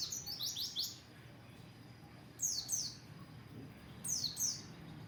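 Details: Oriental white-eye song as training audio, bird singing with open beak: quiet bursts of very high, rapid descending chirps, three short clusters separated by pauses of about a second and a half, over faint background hiss.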